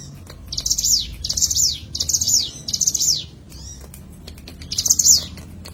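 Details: Natural recording of a hill prinia (ciblek gunung) used to lure birds: four rapid, scratchy high trills descending at the end, then a pause and one more burst, over a quiet low background hum.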